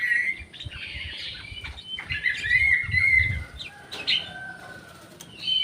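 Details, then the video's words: Orange-headed thrush in an aviary shared with a jali bird: a continuous run of clear, slightly wavering whistles with mixed chatter, a low rustling underneath and a brief loud note at the close. "SUARA ANIS MERAH"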